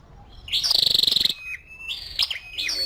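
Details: Scarlet-backed flowerpecker, a female, gives one high dry rattling trill lasting under a second, then a thin level tone and several sharp, high, clipped chips.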